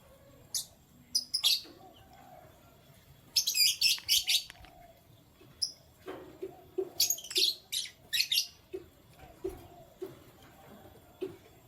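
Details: Morning canary chirping: clusters of rapid, bright, high-pitched notes come in quick runs of three to five, alternating with single chirps and softer lower peeps over about twelve seconds.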